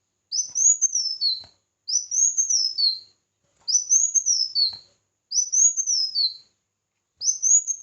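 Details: Red-whiskered bulbul singing competitively, giving five near-identical high whistled phrases that rise, warble briefly and drop at the end, spaced roughly every one and a half seconds, with little else audible.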